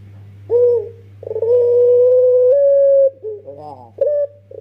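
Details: Young puter pelung dove used as a lure for trapping, voice called beautiful and melodious: short coo, then a long level coo lasting almost two seconds, a burst of rough rolling notes and a final short coo, with steady low hum.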